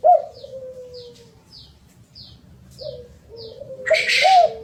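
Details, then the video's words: Derkuku, or spotted dove, song used as a lure: a sharp coo trailing into a long fading note, later soft coos, then a rustling burst with a final arched coo, over faint high ticks. "Kicau derkukuk... Pancingan agar cepat gacor"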